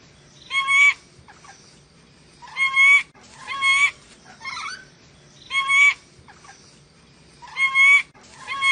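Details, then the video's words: Ornate lorikeet of Sulawesi repeating loud, rasping squawks with metallic overtones roughly every one to two seconds, interspersed with softer chattering notes. "MASTERAN BURUNG NURI DORA SULAWESI"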